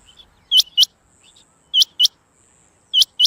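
Rain quail giving sharp, metallic double notes, 'whit-whit', repeated about every 1.2 seconds, over a faint high hiss.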